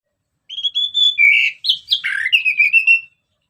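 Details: Orange-headed thrush singing in the continuous ngeplong style, a lure recording: one unbroken phrase of clear whistled notes, first level, then dipping and jumping between tones, with quick chattering slurs toward the end.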